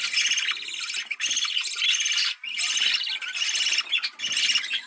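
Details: Budgerigar mating sound to encourage breeding: a loud, rolling warble of fast chirps and grating squeaks, broken by a brief silence just after the second second.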